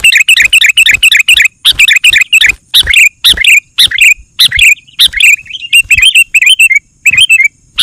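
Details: Sooty-headed bulbul lure song meant to excite other bulbuls into singing: dense, fast runs of sharp, harsh chirps and bubbling warbled phrases, almost continuous and very loud, with a thin constant high tone behind.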